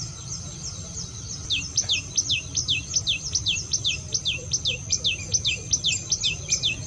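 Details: Common tailorbird song used as a lure call for other birds: a few faint high notes, then a fast, even run of bright descending slurred whistles, roughly two or three per second, with low rumbling noise beneath.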